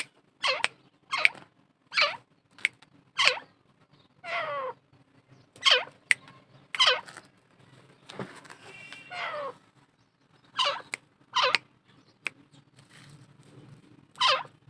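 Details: Grey francolin, called desi teetar, giving loud, harsh calls repeated in quick bursts roughly every half second to second, each a sharp, broadband note with brief gaps of quiet between series and a faint low hum beneath.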